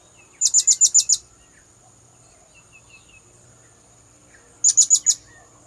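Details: Blue-crowned hanging parrot lure call: a six-pulse shrill high trill, then faint soft chirps, then a shorter four-pulse trill about four seconds later, over a steady high tone.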